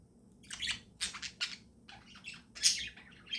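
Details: Morning sounds of pet budgerigars: a few sharp squawky chirps and rasping chatter notes in quick succession, one standing out louder than the rest.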